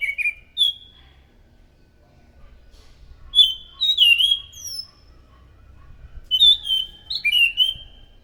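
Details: Loud scaly thrush song used to lure thrushes: short clear whistled phrases in separate bursts near the start, around three and a half to four and a half seconds, and again from six to eight seconds, with short gaps of quiet between.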